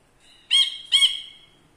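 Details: Two quick rasping, nasal notes from a caged ashy bulbul used as a tutor bird, the second trailing into a drawn-out buzzy tail; background quiet.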